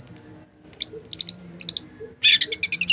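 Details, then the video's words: Long-tailed shrike originating from East Java, singing busily with mimicked content: small clusters of thin, high chirps, then a sudden loud, dense burst of rapid twittering notes at the end. "Burung Pentet Gacor Full Isian"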